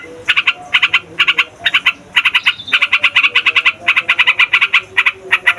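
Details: Loud, long rolling song of a sooty-headed bulbul, played to lure wild birds and to get young males and females singing: quick runs of bright chattering notes in tight groups, nearly continuous, with brief pauses.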